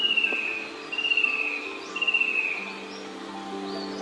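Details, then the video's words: A Fan-tailed Cuckoo, sounding very close in dense trees, gives three high, slightly descending trilled whistles, each under a second, over a steady low hum on a morning bird walk on the Araucaria Track at Enoggera Reservoir, Brisbane, Australia. "That's the call of a Fan-tailed Cuckoo. Let's see if we can find it."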